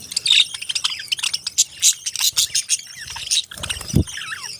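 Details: Parrots chirping: a dense run of short, high, sharp chirps and twitters with overlapping voices and brief squeaky bursts, plus one low thump near the end.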